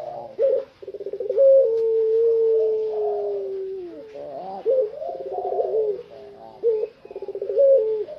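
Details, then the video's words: Long-voiced puter pelung Barbary dove, fully tame and singing freely outside its cage: low rolling coos with bubbling, trilled middle sections and one long, drawn, slightly falling note lasting over a second, repeated in irregular phrases. "BURUNG PUTER PELUNG JINAK TOTAL,GACOR DI LUAR SANGKAR"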